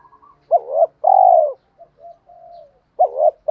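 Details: Spotted dove lure cooing to provoke wild doves: one full phrase of a wavering note and long low coo, a few faint soft notes, then the next phrase beginning.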